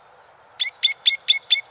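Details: ['Canyon towhee song: after a short quiet start, a quick run of about six bright, sharp chip-like notes, evenly spaced and repeated several times a second.']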